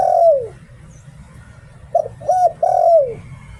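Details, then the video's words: Thai decoy spotted dove, 'liu tan' song. The clip opens with the tail of a falling hoot. After a gap comes a full phrase: short coo, round hoot, then a prolonged note dropping in pitch. Low hum behind. "เสียง "หลิ่วตัน" นกต่อ เสียงชัดภาพชัด"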